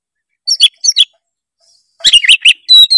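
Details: Oriental magpie-robin singing a full 'gacor' song rich in varied phrases, meant to make a lazy bird sing: two short sharp chirps, a pause, then a fast jumble of chirpy notes ending in a clear high whistle.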